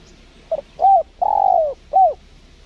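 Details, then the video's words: Spotted dove answering a lure bird during trapping at a windy site: four low coos, a short note, two longer notes with the long middle one falling, then a final shorter coo. "MIKAT TEKUKUR SEPERTI INI"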